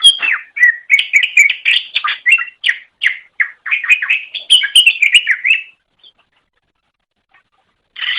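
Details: Rapid chattering song of a Greater Green Leafbird from a long master recording used to train songbirds: nearly six seconds of dense, varied whistled and buzzy notes, then silence before a new phrase starts.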